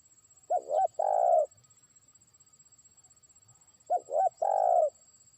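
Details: Spotted dove kept as a trained lure bird, beginning to call a rival far off; two rolling coo phrases, each opening with short stuttering notes and ending in a long trilled coo, separated by over three seconds of quiet ticking.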